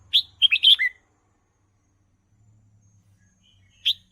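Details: Song of a caged red-whiskered bulbul for teaching young birds: one lively phrase of four or five quick whistled notes dropping to a lower tail, then quiet hum and a single note at the end.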